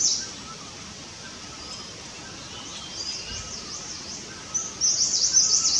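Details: Himalayan cutia in India, building and flattening its nest, gives thin, very high chirps, soft at first, then a brisk, louder burst of twittering notes near the end, over a faint outdoor hiss.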